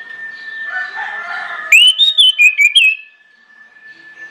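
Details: Orange-headed thrush lure song to make other birds join in: a loud phrase of about six quick swooping whistles, preceded by softer mixed chirps and a steady thin tone.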